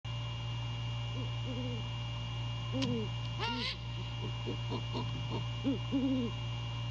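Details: Great horned owls at a nest at night in mid-January, the male calling to his mate during courtship: soft arched hoots in short runs, with a few thin squeaky higher notes near the middle over a steady electrical hum.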